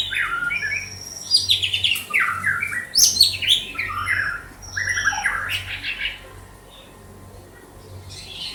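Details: Banda Aceh white-rumped shama pouring out a fast, varied song of squeaky chirps, high whistles and tumbling descending phrases, fading to quiet near the end.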